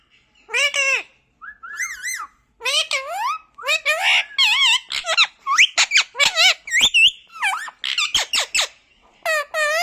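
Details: A talking pet parrot indoors in a small room gives a rapid run of warbling, speech-like phrases, many wavering and rising-falling, with brief pauses between bursts and a person's voice nearby.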